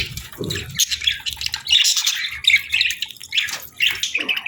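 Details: Breeding-season pair of budgerigars chattering almost continuously: high, buzzy, scratchy chirps and squawky warbles tumbling over one another, with a faint low rumble in the background.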